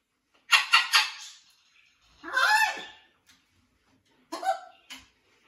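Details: Blue-and-gold macaw at a rescue sanctuary, settling into a new flock: a rapid series of harsh squawks, then a long drawn-out raspy call, and later a shorter squawk, in a quiet indoor space.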